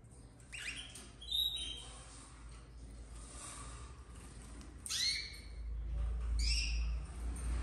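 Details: Red frosted domestic canary chicks from a 2024 breeding season calling in captivity: clusters of sharp, high, slightly downslurred chirps early and late, separated by quieter stretches with a deep rumbling background.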